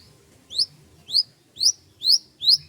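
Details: Bird song on a morning in rice fields: five short, bright upslurred whistles, each sweeping sharply upward, repeated about every half second against a quiet background.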